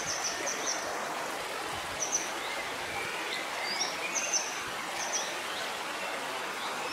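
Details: Grey wagtail (Motacilla cinerea) giving sharp, very high call notes, singly or in quick pairs every second or two, over the steady rush of the Couze Pavin stream.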